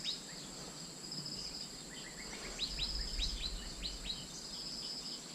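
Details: Asian fairy-bluebird decoy call played to lure birds: a quick run of short, bright whistled notes, each rising then dropping. A steady high insect drone runs beneath throughout.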